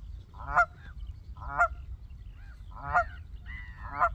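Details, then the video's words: Canada goose on the water, one very vocal, near a goose on her nest: loud nasal honks repeated about once a second, over low rumbling background noise. "Canada geese in the water with one being very vocal"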